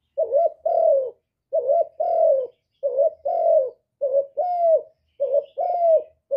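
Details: Spotted dove, recorded live without background noise, giving its full song in the hạp bổi voice style of calling, urging and cooing: paired low coos, a short note then a longer falling one, repeated about every second.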